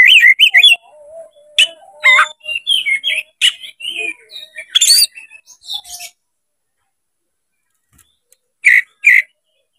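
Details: Oriental magpie-robin, tail spread, singing to goad a rival into fighting. Jumbled, rapid whistles and squeaky chatter for six seconds, then silence broken by two loud, clipped notes near the end.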